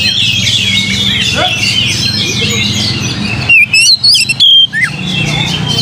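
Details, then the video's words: A busy chorus of many chirping birds gives way to a brief passage of loud, sharp whistles and upslurred notes from an Oriental magpie-robin, sung to provoke singing, before the chatter resumes. "PANCING KACER"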